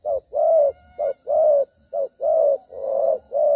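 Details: Decoy spotted dove in a trapping session dated 25 September 2023, moving and fighting as it coos: a dense series of soft low hoots, short notes alternating with longer drawn-out ones, almost no pause between.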